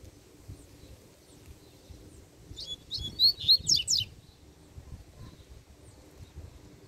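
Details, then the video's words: Free double-collared seedeater confronting a caged rival, delivering a brief, intense phrase of high, rapidly alternating buzzy and whistled notes lasting about a second and a half, with steady low background hum. "COLEIRO SOLTO QUER PEGAR O DA GAIOLA DE QUALQUER JEITO!!!"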